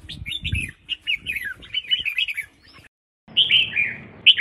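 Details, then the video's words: Female red-whiskered bulbul giving calls meant to stimulate males to sing. A lively string of warbled, slurred chirps is followed by a brief silence, then a harsher burst of notes. "Chào Mào Mái Kích Trống| Tiếng chao mao mai kich trong"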